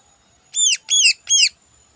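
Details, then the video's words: Morning song of a cucak ijo, the greater green leafbird, a song full of learned phrases. Three scratchy, arched notes with bright overtones are spaced about a third of a second apart against a quiet background. "Burung Cucak Ijo Full Isian Istimewa Gacor Pagi Hari"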